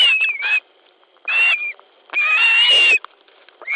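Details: Osprey pair squabbling over a fish at a nest in Latvia on 10 July 2013 at 19.10, one bird trying to take the fish from the other; shrill whistled calls in bursts, each with a wavering high tone, separated by short pauses.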